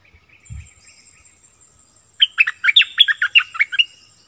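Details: Streak-eared bulbul used as a decoy bird, 16 February 2021, gives a lively run of about ten clear, descending chirps, while a faint, thin, high trill carries on steadily in the background.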